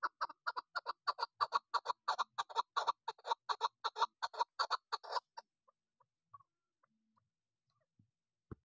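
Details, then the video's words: Female hunting chukar partridge giving a loud, rapid series of harsh, clucking chuck notes, about four to five per second for five seconds, then a few soft, scattered notes and near silence. "Shikari Chakor sound Keklik sesi Female شکاری چکور آواز مادی چکور"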